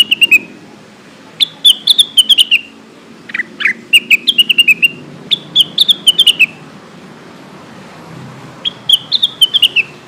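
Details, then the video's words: Lesser green leafbird used as a lure recording, calling to companions: quick phrases of high, bright whistled notes that slide downward, each burst about a second long and repeated every few seconds, with a faint low hum beneath. "SUARA pancingan cucak wilis"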